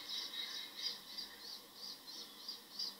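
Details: Northern lapwing (Vanellus vanellus) in Alentejo, Portugal, calling: short, harsh, high wheezy notes about three a second in a steady run, with faint background hiss.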